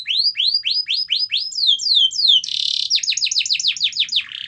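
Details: Canary in full song, meant to get other canaries singing: a series of about a dozen rising slurred whistles, a brief buzzy roll, then quick repeated sweeping notes ending in a rattling trill.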